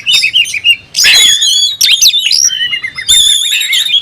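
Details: Singing kacer, the oriental magpie-robin, with fanned tail, provoking a rival to fight; rich whistled phrases with ringing overtones, harsh bursts around the first and third seconds, and steady high notes.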